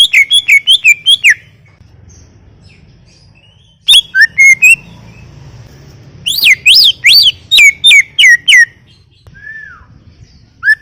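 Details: Greater green leafbird in full song, loud repeated whistled notes that sweep down from high to mid pitch, delivered in quick bursts of six or seven with short pauses between phrases and a soft low hum behind.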